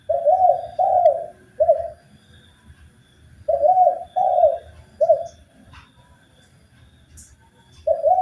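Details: Spotted dove master recording used for training birds: repeated groups of three low, rounded coos separated by quiet pauses, with another group starting at the end.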